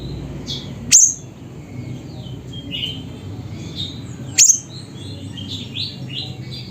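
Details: Siri-siri singing near a house in Reului, Busu Reului, Mutiara, Pidie, Aceh: two single sharp, very high clicky notes about three and a half seconds apart, with faint twittering of other birds and a low background rumble.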